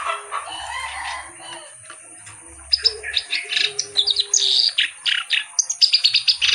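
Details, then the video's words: Reed warbler, called kerak basi, after a quiet start breaks into quick, sharp, scratchy notes repeated about twice a second, some high and squeaky. A thin steady tone hums in the background. "BURUNG KERAK BASI GACOR CENGKOK LAGUNYA OK"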